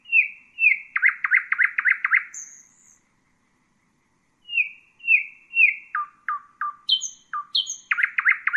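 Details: Common nightingale (Luscinia megarhynchos) song: repeated sharp whistled notes leading into a fast chooking series, a thin high note, silence, then varied descending phrases and rapid loud chuks.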